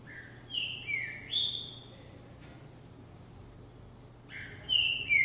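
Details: Caged green-winged saltator singing while hopping in a jumping cage, a vigor exercise: two loud whistled phrases, each sliding down then up, the second near the end, with a quiet gap between and steady low hum beneath.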